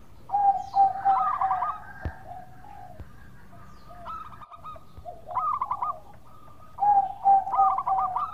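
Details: Local zebra dove giving its melodious lure song: repeated phrases of soft drawn coos that break into quick trilled pulses, three phrases spread across the recording, with faint clicks in the background.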